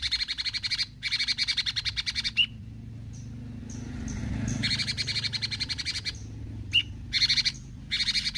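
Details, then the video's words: Bulbul (cucak cungkok) singing actively: bursts of fast, harsh, rattling pulsed notes lasting about a second, alternating with short clear whistled notes and pauses, over a low background hum. "Besetan Cucak Cungkok Gacor"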